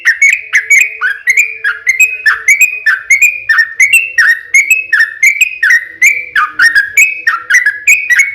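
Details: Yellow-vented bulbul in a long rapid 'ropel panjang' song played as a lure to make other bulbuls answer: quick chirpy whistled notes, alternately dipping and rising, repeated about three per second, with a faint steady low hum beneath.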